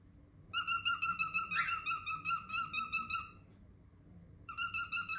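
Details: Cockatiel kept as a pet calling loudly: a long train of even, rapidly pulsed whistled notes lasting about three seconds, broken by one brief buzzy burst, then a fresh run starting near the end.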